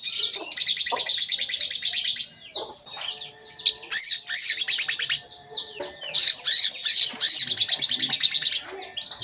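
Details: Javan kingfisher calling on a lure recording meant to make birds call and rouse them: long rapid rattles of shrill notes, about three per second, in two main bursts with harsh chatter between.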